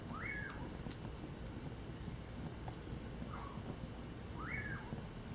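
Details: Common pauraque calling on a winter night, giving clear whistled notes that rise steeply and then slur downward, two strong and one faint between. Crickets trill steadily and a campfire crackles throughout.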